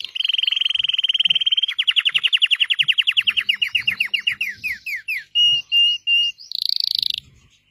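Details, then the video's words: Red Belgian canary singing a fast rolling trill that slows into separate downward-slurred notes, followed by three flat whistles and a high buzzy flourish. "Burung Kenari Merah Belgia"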